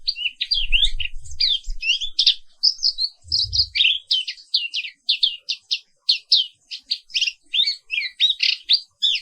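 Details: Caged black-capped white-eye (Zosterops atricapilla) from Indonesia singing in the morning: a lively rolling run of high twittering notes, varied and unbroken, with a couple of low knocks early on.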